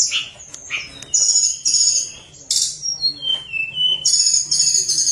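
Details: Tledekan gunung singing actively in a flute-like style, used to prompt lazy birds to sing: a mix of sharp high whistles, short trills and falling notes, ending in repeated shimmering phrases.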